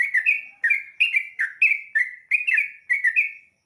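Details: At dawn, a sooty-headed bulbul sings a fast, unbroken chain of bright chirped notes, each dipping then rising, in paired phrases about every half second. It is clear and close, with no other sounds.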